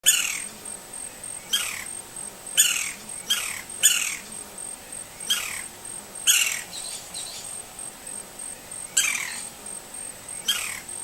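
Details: Green-barred Woodpecker in Brazil gives loud, harsh, sharply downward-slurred calls, singly or in quick pairs, at irregular intervals, with a steady high insect hiss behind.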